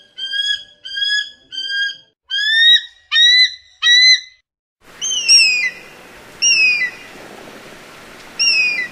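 An eagle gives high, thin whistled screams in quick bursts of a few notes, each slightly falling; the later calls sit over a steady background hiss.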